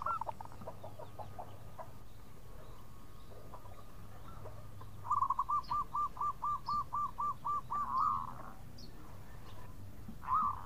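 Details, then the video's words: Local zebra dove giving khong-style song to call companions: after a faint start, a clear run of about ten evenly spaced, bouncing coo notes, followed by single louder warbles, over low background rumble. "Perkutut Lokal Gacor Suara Khong crewet panggil teman"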